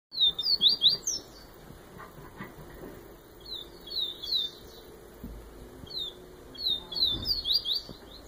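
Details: Yellow-bellied seedeater of the Bahia type (Baiano), singing in the Viviti style. Three bursts of fast, sweeping whistled notes, high and clear, come at about 0.3, 4 and 6.5 seconds. Quiet pauses separate the bursts.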